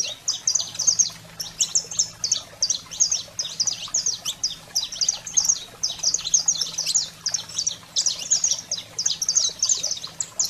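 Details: Saffron finch song for stimulating canaries: continuous loud series of sharp, high chirped notes in repeated phrases with short gaps, steady low hum underneath.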